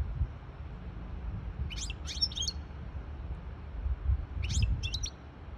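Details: Hybrid goldfinch singing to tutor chicks and arouse a female goldfinch into mating posture; two short bursts of high, scratchy twittering notes separated by a pause, over low background rumble.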